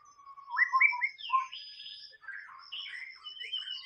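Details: White-rumped shama song recorded in the wild: a low whistled note, then rising and falling slurred whistles and buzzy phrases, ending in scratchy warbles and a high sustained whistle.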